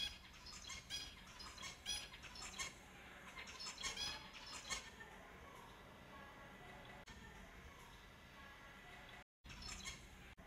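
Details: Finches calling, a run of short sharp chirps and squawky notes in quick uneven bursts for the first few seconds, then fading into a steady hiss of background noise with a brief dropout near the end.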